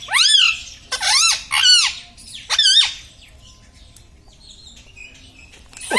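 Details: Talking pet parrot, known for saying 'mummy', 'papa' and 'radhe radhe'. Four loud arched, nasal phrases fill the first three seconds, then fainter chatter and near quiet, with a sharp squawk at the end.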